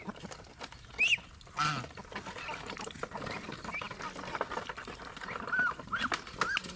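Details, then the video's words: Domestic geese kept as pets alongside ducks; short rising and falling whistle-like calls spaced irregularly through the recording, one louder honk near the start, over a background of steady clatter and faint noise. "enjoying pet Goose paul & Ringo and pigo sound Duck"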